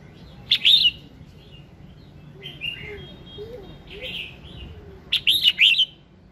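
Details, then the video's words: Red-whiskered bulbul singing in the morning, a recording used to prompt other birds to sing: two bright warbled phrases with rising and falling notes, separated by softer lower twitters, over a faint low background hum. "Tiếng Kích Giọng Chào Mào Hót Sáng"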